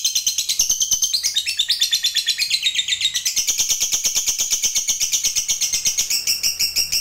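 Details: Gacor fighter lovebird in a sustained long trill (ngekek panjang), used to draw other lovebirds into song: high, rapid, chattering pulses, wavering in pitch early on, then steady and unbroken for seven seconds.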